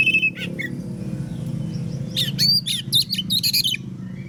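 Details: Oriental magpie-robin in morning song that draws replies from other magpie-robins; after a few soft notes, a lively stretch of loud, rising and falling whistles and harsh chips in the second half, with a low hum underneath.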